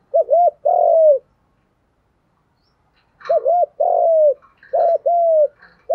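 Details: Spotted doves, male and female, giving 'gù đấu' contest coos used to stir birds for training. Three low, mellow phrases, each a quick doubled note then a long, slightly falling coo, after a silent gap; faint chirps in the background.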